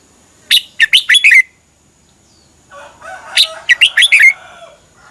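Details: Thai caged red-whiskered bulbul singing, a recording meant for teaching or exciting other caged bulbuls: two phrases of four to five clear, rapidly falling chirpy notes separated by about a second and a half of quiet.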